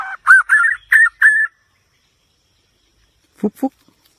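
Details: White-rumped shama song: four quick, slurred mid-pitched whistled phrases, followed after a pause by two low, short knocking sounds.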